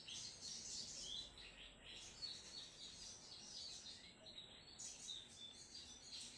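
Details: A crimson sunbird, called sogon trotol, sings a long lively sequence of very high, tinkling chirps and rapid twitters that pause briefly twice before resuming.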